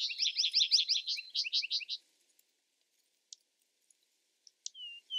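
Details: Vesper sparrow ending a song with a fast, bright trill lasting about two seconds, followed by quiet with a few faint clicks and a thin slurred note.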